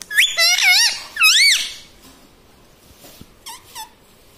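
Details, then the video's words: Indoor talking parrot, a tota or mitthu trained to say mummy and papa, giving wavy, warbling squeaky phrases with rising and falling pitch, then a quiet pause and two brief high squeaks near the end. "Talking Parrot Mitthu Mitthu Tota || Mummy Mummy Bolne Wala Mitthu || pattu Parrot Talking"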